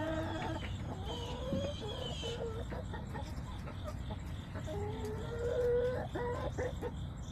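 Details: Backyard flock on September 20, 2024, with a chain of short harmonic clucks and squawks, some drawn out and level, over persistent low rumble and a faint high hum.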